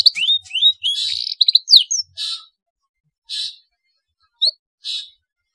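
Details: Black-throated canary song serving as a tutor for young canaries: two seconds of rapid rising whistles and short trills, then spaced buzzy bursts and a single sharp note in otherwise quiet surroundings.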